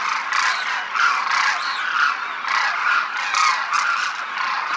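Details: A large flock of demoiselle cranes flying in formation over a village in Rajasthan, India, calls continuously, a dense chorus of overlapping harsh, croaking trumpet notes with no pause.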